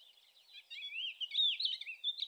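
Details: Thekla's lark recorded on 25 April 2021 in lynx territory, giving a continuous, rapid, warbling song of twittering and whistled notes that builds in loudness toward the middle.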